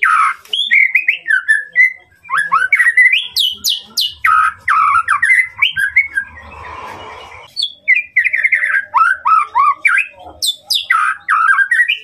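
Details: White-rumped shama training song, played to provoke a rival's emotions: a fast, varied run of whistled, slurred and chattering phrases with sharp high notes, almost continuous, broken by a brief rustling noise midway.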